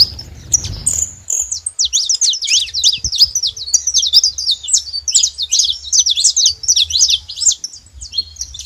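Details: A saffron finch gives a long, busy stream of sharp, high chirps and zigzag tweets, nearly unbroken for eight seconds, after a brief low noise at the start.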